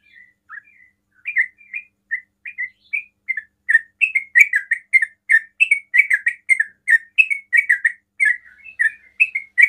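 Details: Rapid 'ropel' song of a sooty-headed bulbul, used to draw replies from other bulbuls: a few spaced chirps open into a long steady series of bright, bubbly notes, roughly two or three each second.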